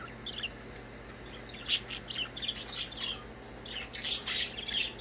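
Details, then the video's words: Pet budgerigars chirping and playing: a busy run of high scratchy chirps and squawks, bunched and irregular, growing denser toward the end, in a quiet room. "Budgies chirping and playing."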